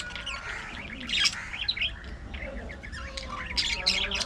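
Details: Budgerigars kept as pets, chatting during play and squabbles, produce scattered warbling twitters and short harsh squawks in uneven bursts over a low background hum.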